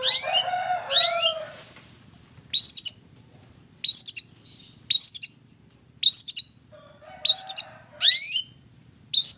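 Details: Long-tailed shrike with a combination filler song (kombinasi isian): rich harsh chattering phrases at first, then short sharp chirp bursts spaced about every one to one and a half seconds with quiet pauses between.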